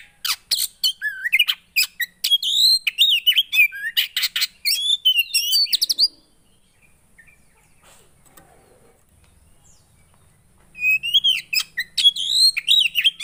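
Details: Javan white-eye singing, played to coax a quiet bird into song: a long burst of fast, high chattering and squeaky slurred whistles for about six seconds, a pause, then another lively twittering run.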